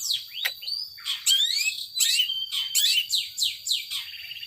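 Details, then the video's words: Singing long-tailed shrike in power sobek style: loud, downward-swooping whistled notes repeated in short phrases, mixed with scratchy chirps over a faint steady tone. "Burung Cendet Power Sobek"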